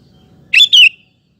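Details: Sooty-headed bulbul in active song as bait to get males singing and as a tutor; a single loud double-note phrase, the second note slurring downward, over faint low background noise.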